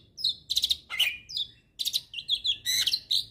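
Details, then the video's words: Hybrid starling giving an energetic tutor song for training magpie-robins and kacers: loud bursts of high whistled notes alternate with harsh, buzzy chattering phrases in rapid, irregular succession, with short pauses between bursts. "Masteran Jalak Hybrid Gacor Full Isian"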